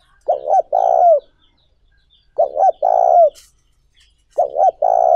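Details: Spotted dove cooing to stimulate other doves for decoy training. Three loud, clean phrases arrive about every two seconds. Each is two short coos followed by a drawn-out, descending coo in near silence.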